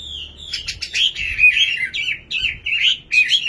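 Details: Nightingale song of jerky, slurred whistles broken by short gaps, with the phrases coming in uneven bursts.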